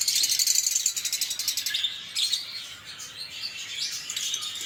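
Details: Lovebird chirping: a fast run of rapid, evenly pulsed high chips at the start, then looser shrill twitters and squeaks.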